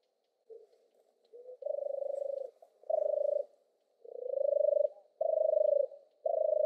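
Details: Purring song of a European turtle dove, opening with soft short fragments before five full rolling, low purrs of about a second each, some gently rising in pitch, with near-silence between phrases.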